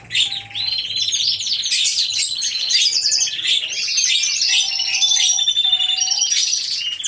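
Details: Caged canaries in an aviary singing together, heard through a hidden camera: a continuous wash of high warbling trills and twitters, with a few short steady mid-pitched squeaky tones beneath.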